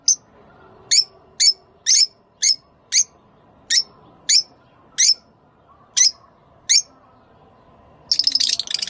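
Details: Rosy-faced and Fischer's lovebirds calling to encourage mating: a series of about a dozen piercing high chirps spaced roughly half a second apart, ending in a harsh buzzy chatter.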